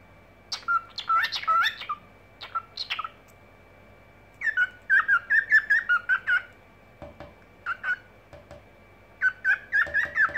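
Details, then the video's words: Pet cockatiel singing indoors in the evening: bursts of short chirpy whistled notes, warbling and repeated in quick clusters with pauses of about a second, a faint steady electrical tone behind. "Вечерние распевки"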